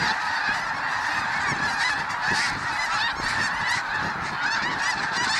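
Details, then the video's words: Snow geese, a flock of 20,000 plus at a refuge, flushed from a field into frenzied low flight: a loud tumult of overlapping yelping honks, with separate calls pulsing out of the dense chorus. "20,000 snow geese attacking photographer in flying frenzy."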